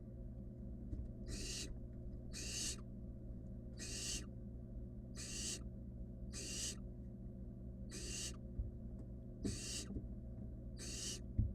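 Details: Barn owl chick accompanied by a rabbit keeps up a series of eight raspy, noisy hisses, spaced one to one and a half seconds apart, against a continuous low-pitched hum and an occasional small tap.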